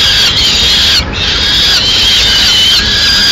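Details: At a Madrid peregrine falcon nest on 6 May 2016, while the female arrives with a pigeon, a near-continuous harsh, grating wail runs through the whole span, cut once by a short pause.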